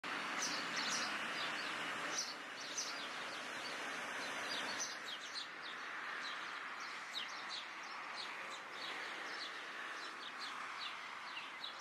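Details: Cuban Blackbirds in La Habana, Cuba, in July 2017 give quick, high chirps, several a second, overlapping as if from a small group, over a steady broad hiss of background noise.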